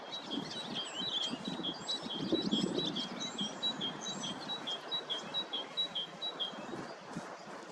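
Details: Flock of Bohemian waxwings in Hrodna city, western Belarus, 18 March 2026, in apparent spring lekking while spreading mistletoe; a steady run of high, ringing trilled notes, several birds overlapping, above low urban rumble.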